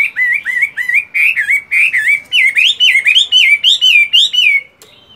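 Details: Loud, fluent song from a caged fighting Chinese hwamei during morning voice training while moulting: a steady stream of wavering, looping whistled notes, about fourteen in rapid succession, before a brief quiet end.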